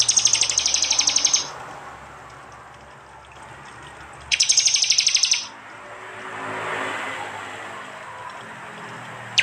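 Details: Prinia, East Java, phone recording combining prenjak and jali sounds: two dense, rattling high trills of about a second each, separated by a quiet gap with soft broadband noise, plus a brief sharp note at the end.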